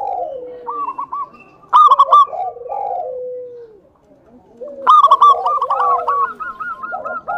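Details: Local zebra dove singing as a lure to provoke rival doves into calling: a low descending coo followed by loud, rapid stuttering notes near one pitch, phrases repeating with short pauses.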